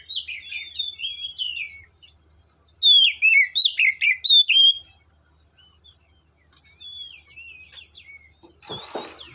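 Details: Wild Oriental magpie-robin in forest: soft twittering, then a loud burst of about seven rich whistled notes, followed by quieter scattered phrases and a brief rustling noise at the end.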